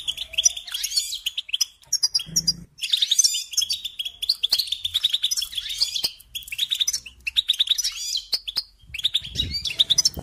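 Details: European goldfinch singing a fast, continuous twittering song of bright chirps and tinkling notes, with short buzzy trills and brief pauses between phrases, over faint low background rumble.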